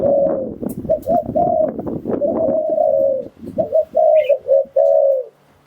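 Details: Spotted dove coos used as a decoy to attract wild doves: heavy rustling noise masks the start, then clear low coos in quick pairs and a final held note emerge toward the end.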